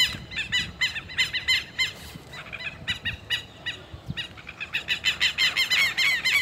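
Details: Two flocks of Southern lapwings (Vanellus chilensis) appear to confront each other, calling together in loud, strident, repeated notes, about three a second, overlapping in a noisy chorus over a low background rumble.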